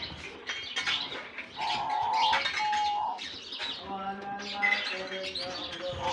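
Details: Lovebirds just released into a colony aviary in Germany at the start of the summer season: a dense flock chatter of high, scratchy chirps with steady whistled tones held for about a second, and a soft background hum.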